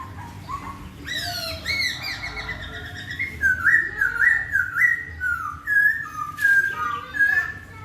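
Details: Laughingthrush singing melodiously to make another laughingthrush answer: clear whistled phrases, rising then falling, in a steady run of slurred notes, with soft background hum.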